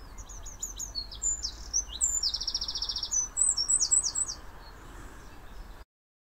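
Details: A Eurasian wren at Rolleville pours out a loud, rapid song of high trills and sharp notes, including a fast buzzy rattle, over a soft background hiss.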